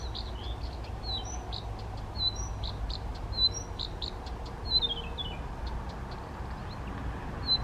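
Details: Male Blyth's reed warbler in spontaneous song, first recorded in the Czech Republic on 19 June 2014 near Těchařovice: clicking ticks, high whistles and a quick descending series of notes, separated by pauses, soft rumble throughout.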